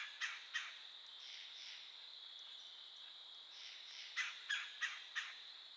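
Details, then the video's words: Woodpecker calling near a yearling doe: short, sharp, clipped notes, two early and a quick run of four later, over a steady high insect-like hum. "a woodpecker calling"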